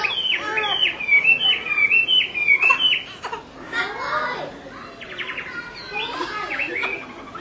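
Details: Chinese hwamei, a female calling over and over while a male grows agitated; a run of bright, repeated downslurred whistles, then looser rising and falling phrases that fade toward the end.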